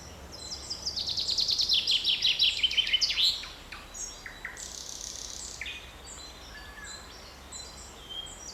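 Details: Birds singing in a forest on 7 May 2020: a fast run of bright, high trilled notes repeated over about two seconds, then scattered short chirps and whistles from other birds.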